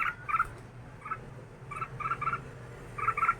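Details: Caged red-whiskered bulbul, two years in the cage, giving short bright chirpy notes in quick pairs and triplets separated by brief pauses, with a low steady hum underneath.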